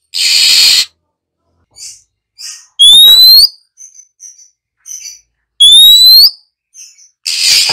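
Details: A female Oriental magpie-robin (Copsychus saularis) calls to stimulate other magpie-robins to sing: harsh rasping hisses, two loud rising whistles about three seconds apart, and short scattered chips.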